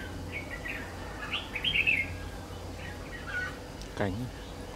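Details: Red-whiskered bulbul lure bird at a trapping site, 3 September 2019: a few quick chirpy warbled notes building to a louder twittering burst, followed by a man speaking and a brief knock near the end.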